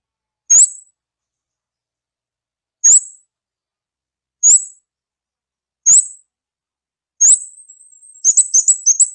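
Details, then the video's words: Kamade lure call: single sharp high chirps spaced about every one and a half seconds, ending in a quick burst of twittering notes and a thin sustained whistle. "suara pikat burung kamade"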